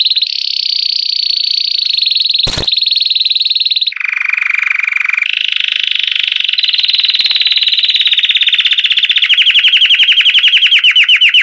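A Belgian canary sings a long, continuous run of rolling trills. The pitch drops for one lower, buzzier tour, then climbs into rapid repeated notes, with one sharp click partway through.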